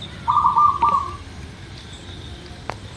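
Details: Local zebra dove singing, a recording meant to coax other birds into song. One soft, rapidly broken cooing phrase lasts just under a second, followed by quiet hiss and a faint click.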